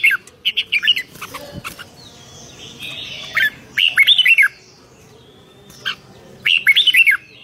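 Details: Red-whiskered bulbul giving lively 'rik'-style song, recorded 2023: short bursts of four to six quick whistled notes, rising then falling, separated by gaps of one to two seconds, with a soft background hiss between bursts.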